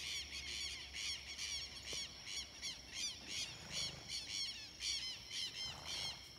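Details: Red-legged seriemas in a group, calling in a rapid series of loud arched yelping notes, roughly two to three per second, rising and falling in waves over a steady high insect whine.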